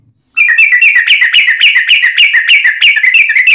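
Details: Yellow-vented bulbul fighting song used to lure other bulbuls into replying: after a brief silence, an excited continuous chatter of rapid bubbly notes, many rising then dropping, about five per second without pause.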